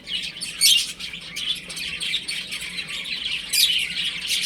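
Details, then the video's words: Several baby chickens chirping while playing at home: shrill, high peeps overlap continuously, with a louder sharp burst near the start and another near the end. "Cute Baby Chicken Chirping Sounds"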